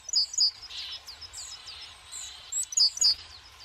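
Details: Tits calling at a forest feeder stocked with sunflower seeds in winter; several high, thin chirps and short descending notes come in scattered bursts, with a faint low rumble beneath.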